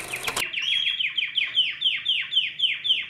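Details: Canary singing to stimulate other birds to sing: after a brief clatter at the start, a steady series of swooping, downward-sliding notes repeats about four times per second.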